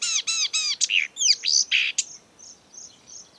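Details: Marsh warbler, a mimic of birds from Europe and Africa, singing in breeding season: three harsh arched notes, twisting squeaky phrases, then soft thin whistles fading out.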